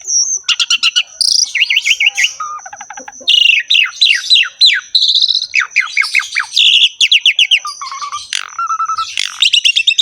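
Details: Vigorous 'ngerek' song of a Javan pied starling, played to tutor caged starlings: ten seconds of varied phrases, including rapid clicks, chains of up-slurred whistles, harsh squeaks and low whistled notes, over a constant faint high tone.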